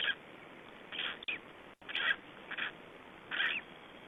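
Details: Three-day-old Black stork chicks in Estonia, 2012, giving brief hoarse bursts in small groups, with a couple of sharp clicks and a low hiss behind.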